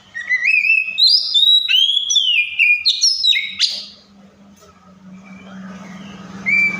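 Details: Oriental magpie-robin song mimicking other birds: a rapid string of clear whistled notes, swooping up and down, for about four seconds, then a low steady hum and one closing whistle.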